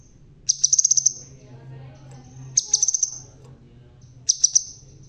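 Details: Crimson sunbird, described as red-tailed and bald yet still singing vigorously; high, sharp ticking notes run in quick bursts of five to seven, three bursts spaced over a few seconds, with a faint low hum behind.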